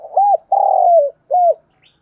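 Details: A single spotted dove phrase used to lure wild doves: short arched coo, long steady coo dropping at the end, then another short arched coo, with a faint high chirp afterward.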